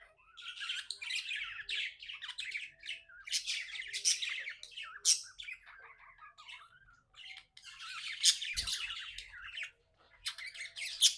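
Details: Happy pet budgerigar chirping: dense bursts of rapid, scratchy warbled chatter and sharp high chirps, pausing briefly before resuming, recorded indoors.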